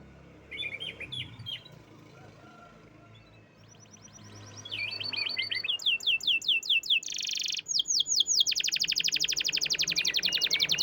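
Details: Champion canary starting with faint scattered chirps, then building into repeated upswept notes, a short buzzy burst and a rapid, steady rolling trill to the end.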